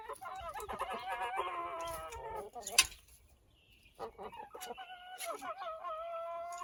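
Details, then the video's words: A backyard rooster whistling for an unknown reason, giving strained, nasal, wavering calls in two bursts separated by a sharp click and a brief quiet pause; owner finds it hard to tell what it means. "The Weird Noises Roosters Make"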